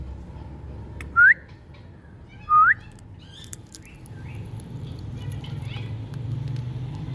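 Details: Rose-ringed (Indian ringneck) parakeet (Psittacula krameri), a talking parrot, gives two clear, rising whistled notes about a second and a half apart, then falls quiet over a low background hum.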